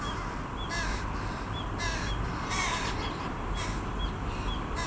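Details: Young carrion crows, grown to their parents' size, beg a parent for food with harsh, raspy caws about once a second, each burst short and broad; faint thin chirps of small birds and low rumbling background noise run underneath.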